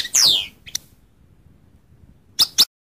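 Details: A goldfinch gives one loud, sharply falling high note, then a faint click and two short, bright chirps close together near the end, with quiet gaps between.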